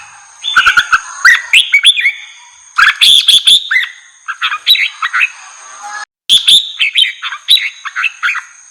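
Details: Red-whiskered bulbul singing to provoke wild birds, a lively run of quick chirpy whistled phrases, warbling up and down, punctuated by loud dry clicks, a brief dropout near the sixth second, and a constant thin high tone.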